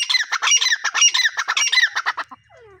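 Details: Teetar, a pair of grey partridges, calling: rapid harsh squawky notes in quick succession for about two seconds, then stopping abruptly.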